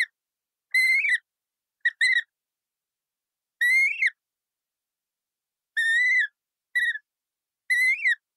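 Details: Colourful parrot giving seven short, harmonic, whistled calls at irregular intervals, each slightly rising or arched, with silence between them.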